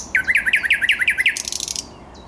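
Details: Thrush nightingale, 10 May 2021, giving a fast series of about eight loud chocking downward notes followed by a buzzy rattling trill that fades out.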